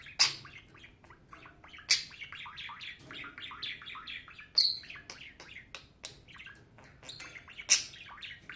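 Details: Budgie giving soft continuous warbling chatter, thin high chirps interspersed with four sharp louder squeaks spaced unevenly over several seconds.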